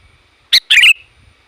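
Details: Sooty-headed bulbul, played to lure wild bulbuls, giving a single sharp note and then a fuller warbled phrase that slides down and up. Faint low thumps are heard in the background.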